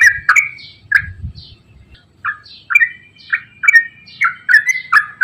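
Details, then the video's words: Straw-headed bulbul in full, lively song, used as a lure to get reluctant bulbuls singing: rich, gurgling warbled phrases repeated in quick succession, with bright slurred notes and sharp high clicks, over a faint low rumble. "KICAU TRUCUKAN GACOR ROPEL PANJANG AMPUH UNTUK PANCINGAN TRUCUK SUSAH BUNYI"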